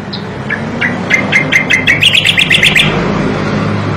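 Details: Striated grassbird singing, recorded as tutor song for songbirds: short sharp chips quicken into a rapid run of bright, slightly rising notes over a steady low hum of background noise.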